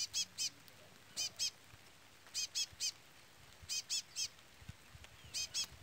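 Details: A chestnut-bellied seed finch gives bright, high, clipped notes in quick pairs and triplets, about every second and a half, over a faint low rumble. A young bird calls constantly while the adult brown bird does not sing, and rain is picking up.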